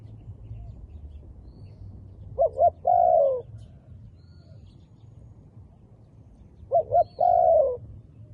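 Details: A wild dove, its feathers dark black, repeats the same coo phrase twice about four seconds apart: two quick clipped notes followed by a longer coo that droops in pitch, with soft background noise between.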